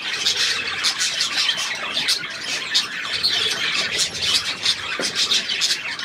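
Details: Busy budgerigar chatter, with rapid high-pitched squawks, clicks and twittering notes tumbling over one another in an unbroken, bright warble for about six seconds.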